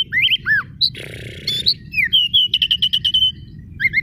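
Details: Oriental magpie-robin, white-rumped kacer daput form, singing loudly as a lure to provoke silent rivals: clear whistled slurs, rising and falling notes, then a rapid series of repeated short notes, low hum beneath.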